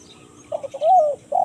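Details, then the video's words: Spotted dove giving a kuk 1 mersik style call, used as a lure for wild birds in the forest: two short soft notes, then a long, husky, gently falling coo, with the start of another coo at the end. "MASTERAN UNTUK MENCARI BURUNG LIAR DI HUTAN~KUK 1 MERSIK"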